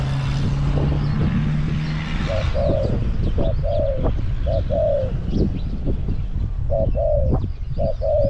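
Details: Spotted dove used as a caged decoy to draw in wild doves, Song Phi Nong, Thailand. Mellow coo phrases of a quick note and a drawn-out falling note come in bursts after a hum, with windy low-frequency noise throughout.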